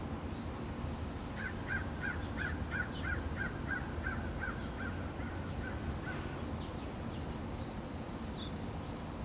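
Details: Red-shouldered hawk on a perch giving territorial calls toward rival hawks: a fast series of about a dozen short, harsh, descending notes in the first half, then quiet, with continuous insect buzzing and a high steady tone behind.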